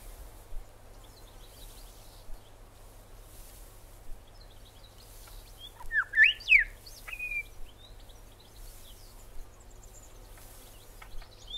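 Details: Australian Grey Shrike-thrush giving a short, loud cluster of ringing whistled notes midway, some steeply rising, others falling, followed by a single level whistle, with faint distant chirps and soft background hiss.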